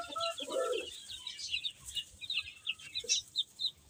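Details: Young chicks eating and playing: one fuller, lower chirp early on, then scattered high peeps from many chicks, arriving in short separate bursts.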